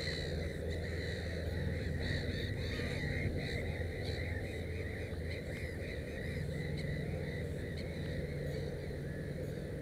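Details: At a nest with three chicks, a Black-headed gull utters repeated short grating cries in loose rapid runs, with a low continuous hum underneath.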